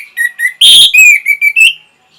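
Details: Orange-headed thrush song used to stimulate breeding and a reply. Short whistled notes with a loud, harsh burst in the middle, followed by a series of clear, slightly rising whistles.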